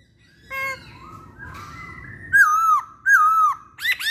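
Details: Masked laughingthrush (poksay hongkong) in a pancingan lure recording: faint harmonic notes and a soft level whistle, followed by two loud wavering whistled phrases about a second apart and a sharp final note, over low hum.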